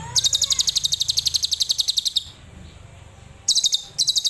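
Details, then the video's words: Adult lovebird in a Cililin-style burst: a rapid, very high metallic trill of evenly repeated notes lasting about two seconds, a short pause, then two more brief high trills. "Love Bird Dewasa // Tembakan Cililin"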